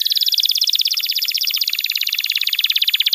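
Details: Canary in vigorous song for training young birds: a fast continuous rattling trill of closely spaced notes that slowly drops in pitch.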